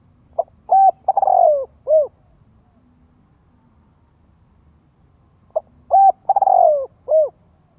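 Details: Spotted dove cooing as a lure to train young birds to coo. Two matching low phrases about five seconds apart, each a short note, a stuttered coo, a long falling coo and a final hoot, with faint low rumble between.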